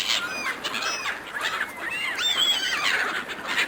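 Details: Seagulls competing fiercely over food offered to them by a person: overlapping harsh, arching cries, rising then falling, come from several birds at once with barely a pause, over steady background hiss.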